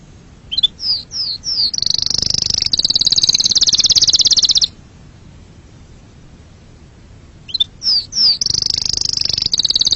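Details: Canary song opening with a few quick downslurred notes that run into a dense, shimmering high trill lasting about two seconds, then a long pause before the same notes and trill return.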